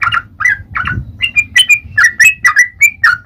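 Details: Vigorously singing yellow-vented bulbul in fighting mode: short bubbly, gurgling phrases of liquid whistled notes, quickening into a lively run of rising and falling chirps, with a soft low rumble beneath.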